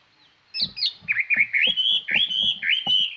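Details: Chinese hwamei singing as a lure to call other birds, a clear, far-carrying song: loud whistled phrases sliding up and down, repeated notes with rising and falling slurs, delivered rapidly and continuously.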